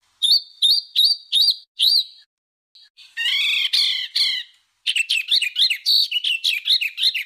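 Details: Harsh tutor song of a songbird for home and competition birds: five upslurred whistles in a row, a brief gap, a scratchy chattering burst, then a lively, varied high warble.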